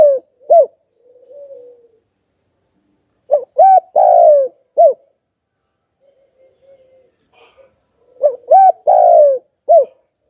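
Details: Lure call of a Spotted dove in the 'hạp bổi' voice style: a phrase ending, a soft murmur, then two full phrases of quick coos and a long descending coo separated by several seconds of near silence.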